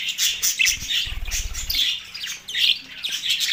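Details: Mating budgies at Larkana, Sindh, on March 9, 2024: busy high-pitched warbling and squawky chirps running without a break, with a brief low thumping rumble in the middle.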